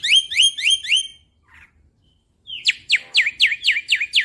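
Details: Young Black-winged Starling in loud 'nembak' bursts used as a lure: three rising whistled notes, a short pause, then a quick series of sharp downslurred whistles, about four per second.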